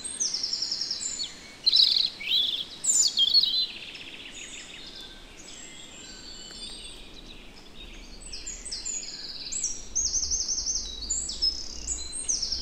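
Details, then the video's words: European robin in the Netherlands: a loud burst of varied, sharp high warbled phrases at the start, then quieter high whistled notes and trills from more distant birds over soft background hiss. "One Hour Relaxing Birdsong: European Robin"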